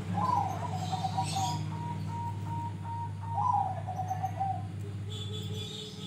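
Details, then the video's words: Grey-bellied bulbul (cucak rante) with open bill giving two low whistled phrases, the first sustained and wavering for nearly two seconds, the second shorter and descending, over loud low hum. "Cucak Rante gacor Buka Paruh Pancingan"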